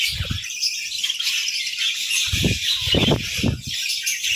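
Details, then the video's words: Budgerigars chirping together in the morning, a dense, continuous wash of high chattering and warbling notes, with low soft thumps at the start and near the end. "Chirpy Mornings with Budgies!"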